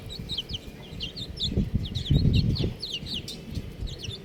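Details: Baby chickens, buff chicks, chorus with rapid shrill peeps, each a brief wavering slide, packed several per second. A soft low thumping swells midway.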